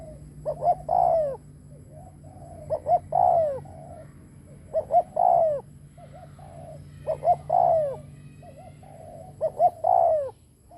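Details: Decoy spotted dove giving its luring coo five times, roughly every two to two and a half seconds. Each phrase has a couple of short stuttering notes and then a loud, drawn-out falling coo, over a low steady hum.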